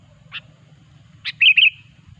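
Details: Sooty-headed bulbul lure song for trapping: two sharp chips, then a bright bubbly double warble, over a soft low rumble.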